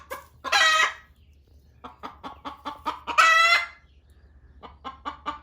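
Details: Hen clucking loudly at another hen laying an egg in a barn, wanting her off the nest. Two raspy, prolonged squawks, each followed by short bursts of quick clucks.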